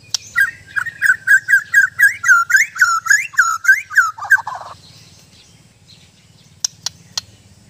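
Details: Murai batu, the white-rumped shama, repeating a quick series of looping whistled notes about four per second for roughly four seconds, then silence broken by a few sharp clicks.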